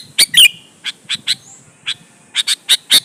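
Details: Energetic sooty-headed bulbul song meant to draw other bulbuls into answering: loud, crisp notes, a twisting double note at the start, then evenly spaced single chirps and a fast closing burst of three.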